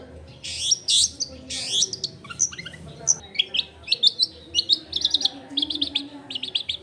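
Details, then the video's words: Long-tailed shrike singing energetically with varied, rich content, recorded at a house in a densely populated area. Long raspy sweeping phrases give way to quick bursts of high, sharp chirps that grow faster toward the end. "CENDET GACOR BAHAN BUNYI ISIAN MELIMPAH CENDET DIAM LANGSUNG NYAUT EFEKTIF CENDET AGAR IKUT BUNYI"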